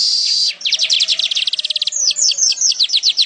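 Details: Weaver (manyar) in energetic song, recorded for tutoring other songbirds: a high buzzy note, then a fast run of sharp chirping notes, shifting into a slightly slower series of downslurred whistled notes.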